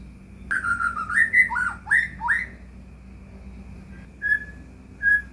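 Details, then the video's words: White-rumped shama song used as a lure for caged birds: a rapid sequence of rising and falling whistles, then two soft, separated whistled notes near the end, over a low hum. "murai batu gacor AMPUH buat PANCINGAN murai batu agar bunyi"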